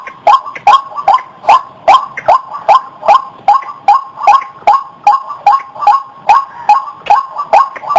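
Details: A white-breasted waterhen call, used for luring birds, repeats short abrupt upward notes about two and a half times per second in a loud, regular series.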